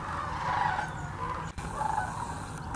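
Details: Short stretch of the huge sandhill crane gathering at Hiwassee Wildlife Refuge, Birchwood, Tennessee, where thousands migrate each year: a thick, rolling chorus of overlapping calls, cut sharply midway and resuming. Captured with a GoPro Hero 9 and Canon PowerShot.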